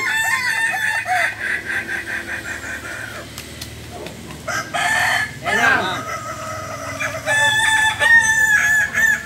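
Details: Balenggek chickens at a crowing contest in the landiak class, Ampang Kualo, Solok city; long multi-note crows with stacked harmonics rise and fall in overlapping chains from several roosters, some calls nearby and loud, others distant, amid crowd murmur.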